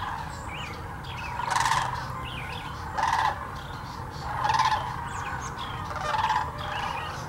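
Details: Sandhill cranes at the Hiwassee Wildlife Refuge in Birchwood, Tennessee, where thousands migrate each year, captured with a GoPro Hero 9 and Canon Powershot; loud rolling, trumpeting calls burst out about every one and a half seconds above a murmuring flock chorus.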